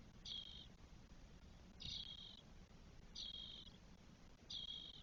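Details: Four Spotless Starling nestlings, day 12, in a nest in Spain on 1 June 2022. Soft, breathy high rasps repeat roughly every 1.4 seconds, four times, against low background noise.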